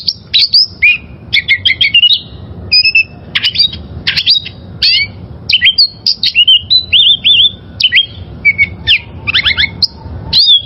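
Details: Wild oriental magpie-robin in varied song: a steady run of short whistled phrases, each a high note dropping into a lower slur, with quick chips and twittering bursts. Faint low hum beneath.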